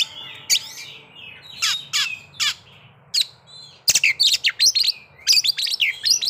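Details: White-rumped shama, sung to stir breeding condition and aggression: scattered sharp notes and slurred whistles, then a rapid, busy run of chips and twitters; a steady low hum throughout.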